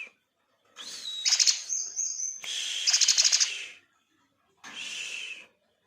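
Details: Song of a black-winged myna that imitates church bells: harsh, buzzy bursts carrying a thin whistled tone, then a long rasping phrase and a short final burst after a pause.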